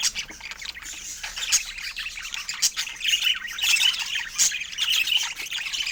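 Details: Several pet budgies warble and squeak in fast, irregular bursts, with brighter chirps standing out in the second half.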